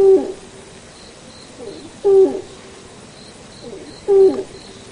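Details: A Malayan night heron (Gorsachius melanolophus) gives deep, hollow hoots, each short and dropping at the end, repeated about every two seconds, with faint high chirps in the background.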